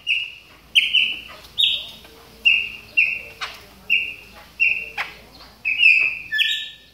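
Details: Caged Chopi blackbird warming up during moult: evenly spaced, strong whistled notes roughly every three quarters of a second, each opening with a sharp click-like upsweep and held flat, the last one dropping lower.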